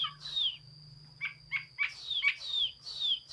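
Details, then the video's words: Chinese hwamei singing, recorded 15 June 2021, mixing clear downward-slurred whistles with short buzzy, rasping notes in an uneven sequence, over a faint low hum and a constant thin high tone. "Chim hoa mi hot xuy. Singsong bird very beautiful"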